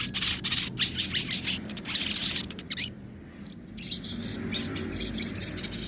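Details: Crested jay singing 'nembak' and 'ngobra' styles as a training recording for other birds: dense scratchy high chirps in fast bursts, a short silent gap, then more rasping phrases over a low hum.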